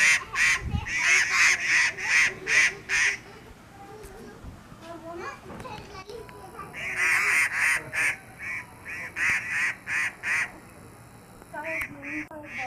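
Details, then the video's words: Grey treepie (Dendrocitta formosae) at Hawa Mahal Viewpoint, Camels Back Road, Mussoorie, Uttarakhand, India, on 4 December 2018, gives harsh nasal honking notes in quick runs of about three a second, pausing between bursts, with a faint thump early on. "Grey Treepie - vocalization"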